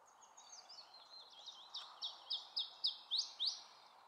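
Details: Iberian chiffchaff singing at Gullegem Bergelen on 12 April 2012: soft, thin high twittering swells into louder, sharp high-pitched notes, each dropping quickly, repeated roughly every quarter second, over a steady background hiss.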